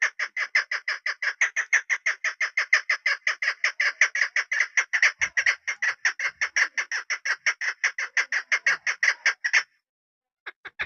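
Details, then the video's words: Hen chukar partridge used as a decoy for hunting, delivering a steady, fast stream of rasping chuck notes for nearly ten seconds before stopping, followed by a few faint scattered notes. "desi made ki khobsort awaz .. sound of keklik..sawt shakra.. ses sound..pahri madi.. shikari madi."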